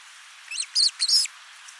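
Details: Ospreys at a Finnish nest on 29 June 2024, recorded by a nest camera. The male has brought a big live fish and the female is feeding their lone chick. Three quick, high, squeaky chirps are heard, the last one longest.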